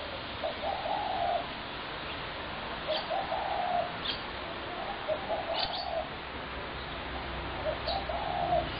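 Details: Spotted dove, 21 January 2017, repeating mellow, slightly rolling coo phrases roughly every two to three seconds, the racket broken by occasional sharp high chirps from other birds.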